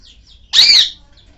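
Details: A parrot angry at a budgie it is meeting for the first time, having tried to bite it: one loud, harsh, buzzy squawk lasting about a quarter second, with faint high chirps before and after.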